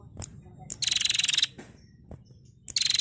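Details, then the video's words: Female prenjak (prinia), a recording used to train songbirds, giving an energetic trilling song: dry buzzy rattles high in pitch, one long burst of about three-quarters of a second plus a shorter one, with sharp single ticks between. "Masteran Burung Prenjak Betina Gacor Ngetirr"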